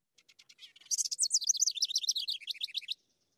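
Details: House Wren of southwest Ohio, heard in town after it migrates back in spring, singing a few soft, dry chattering notes, then a fast, bubbling cascade of high warbled trills that tumbles along for about two seconds.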